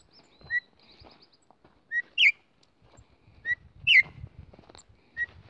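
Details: A female campo troupial's call, meant to excite males. Short flat whistles alternate with louder downward-sliding whistled phrases, roughly one every second or so, with light low background noise.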